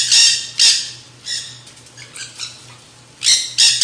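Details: A flock of nanday conures eating seed mix at a backyard feeder. Loud, harsh double screeches open the clip, softer scratchy calls follow in the middle, and then another pair of piercing squawks closes it. A low hum continues throughout.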